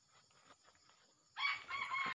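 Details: Red junglefowl in the wild, accompanied by a young male, gives a brief loud crow of under one second: a rough, strained burst that starts abruptly after quiet rustling and ends in a second strained note.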